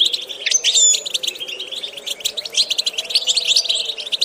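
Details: Goldfinch song for training a bird's vocal repertoire: a quick dipping whistle opens a busy, jangling twitter of chirps and buzzy trills that runs to the end, with a low hum beneath.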